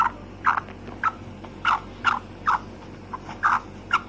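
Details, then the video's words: A female black francolin gives a series of brief, rough, clipped notes at irregular intervals of about half a second, against continuous low background hum. "Kala teetar ki maadi ki awaz// voice of black francolin female"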